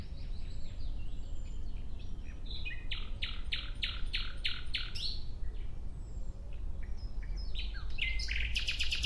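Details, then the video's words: Nightingale singing outdoors: after soft scattered notes, a loud phrase of about eight rapid, evenly repeated sharp notes, then quieter varied twitters and a bright buzzy trill at the end, over a low steady rumble. "Relaxing clear sound of Nightingale"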